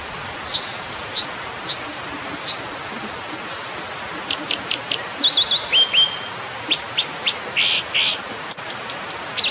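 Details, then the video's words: Brown dipper opening with spaced sharp chips, then a busy high song of thin trills, zigzag notes, clicks and two rasping bursts, with rushing hiss throughout. "河烏/Brown Dipper"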